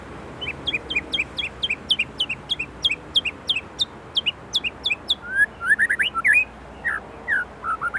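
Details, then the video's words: Indonesian white-rumped shama repeating a rapid, even series of sharp, high, downward-flicking notes for about five seconds, then switching to louder slurred whistles that rise and fall. "Murai Gacor isian Gurih | siap upgrade stok isian | shama bird indonesia"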